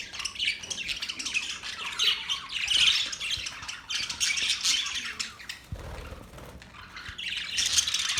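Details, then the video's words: Flock of Australian parrots recorded on October 10, 2023, giving a dense mix of harsh squawks and scratchy chatter, briefly quieter past the midpoint before loud screeching resumes at the end. "Beautiful Australian parrot sounds | Parrots talking sound"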